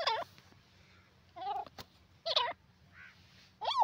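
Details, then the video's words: Grey francolin voice: loud, throaty, wavering notes spaced irregularly about a second apart, with a soft brief note and sharp clicks between them over a low background hum. "teetar ki awaaz in your videos grey francolin ki sound"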